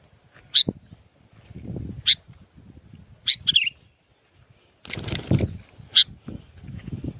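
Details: Sooty-headed bulbul recorded at Curug Agung in Subang, West Java, Indonesia, singing noisily. Short, sharp chirps are spaced a second or two apart, with one slurred, bubbly phrase. Low rumbling background noise runs throughout.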